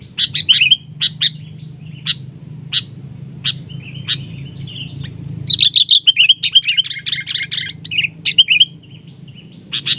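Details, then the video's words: Sooty-headed bulbul clashing with a decoy during bird trapping; spaced sharp chips give way to a dense burst of chattering, gurgling notes midway, then more isolated chips over a constant low background hum. "PIKAT KUTILANG CENGKRAM seperti elang adu kekuatan"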